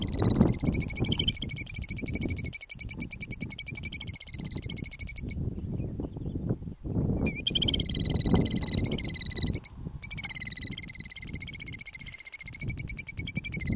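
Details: A parent Killdeer trying to distract potential predators from its nest in the middle of a gravel road gives long, high, rapidly trilled calls running for seconds at a time with brief breaks, over a low rumble of wind.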